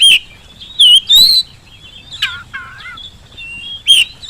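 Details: Oriental magpie-robin song played to prompt birds to answer: sharp whistled notes and a short warble, then lower buzzy descending slurs, a thin sustained whistle, and a final sharp note.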